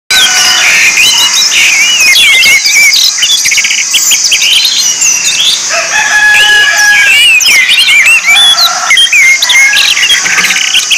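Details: Orange-headed thrush song used as a lure for training birds: dense, varied high whistled phrases with rapid rising and falling slurs and trills, sung continuously with overlapping bright notes.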